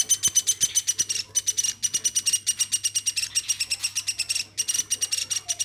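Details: Hand-raised woodpecker, kept since it was a chick, calling without pause: harsh, buzzy notes repeated about three times a second in steady bursts, with brief gaps between runs, recorded indoors.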